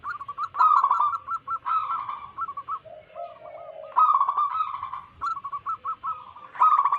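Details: Overlapping wild local zebra doves, used as a lure to attract wild doves, produce rapid stuttering coo series. A lower, softer purring phrase runs in the middle, between louder bursts of clipped notes.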